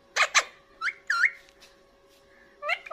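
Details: Indian ringneck parakeet kept as a talking pet, eating green chili: two loud rasping squawks, then a pair of curling whistled notes, a pause, and a final short squawk.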